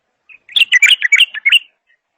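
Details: A single brief bulbul phrase: one soft opening note, then just over a second of quick, bright, tumbling chirps that end abruptly.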